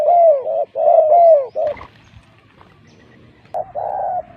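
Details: Spotted dove lure cooing: several mellow falling coos in quick succession, then a break with muffled rustling, and then a final drawn-out coo.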